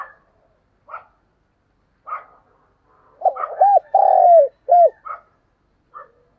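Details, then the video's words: Spotted dove calling as a lure for wild doves: scattered faint chirps, then one mellow phrase of short coos, a long coo and a closing coo, followed by more faint chirps. "tiếng chim cu gáy mồi chuẩn cực hay gáy gọi bổi nghe về cội liền"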